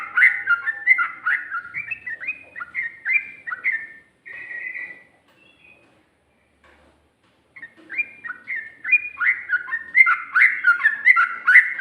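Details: Sooty-headed bulbul in the rapid 'ropel' song style with 'ngikluk' and 'ngGARUDA' phrases: a busy run of whistled two-pitched notes, a pause of about three seconds, then more hurried, louder phrases.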